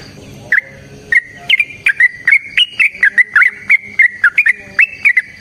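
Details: A Yellow-vented bulbul sings its long fighting song, a chattering stream of bright whistled notes that bend and twist, steadily speeding up into a quick, almost continuous bubbling phrase.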